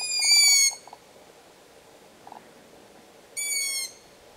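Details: Young long-eared owls begging for food give two drawn-out, high squealing calls like a creaky gate, about three seconds apart, with faint low knocking between them.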